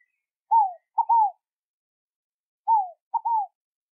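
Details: Scaled dove, known locally as rolinha fogo-pagou, singing. A soft, hollow coo phrase is given twice: a single falling note, then a quick clipped note joined to a longer falling one, with the phrase repeated after a pause. No other sounds are heard.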